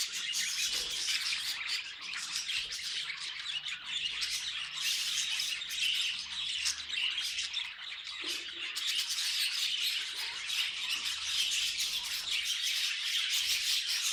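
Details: Pet budgies making funny noises: continuous bright warbling chatter, mixing short squeaks, buzzy squawks and quick chirps in an unbroken stream, with brief louder bursts.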